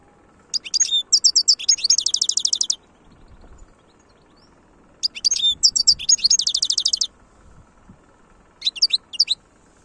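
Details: Khalwi-style song of a European goldfinch, Algeria, 2022: three separate bursts of high, tinkling, buzzy twitters. Each burst runs into a fast rattling series of repeated notes, with short quiet gaps between bursts.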